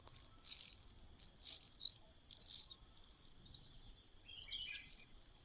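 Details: Cuckoo misbehaving in a nest as it grows and gains food advantages: long, high, hissing calls, each lasting about a second, with only brief gaps between them.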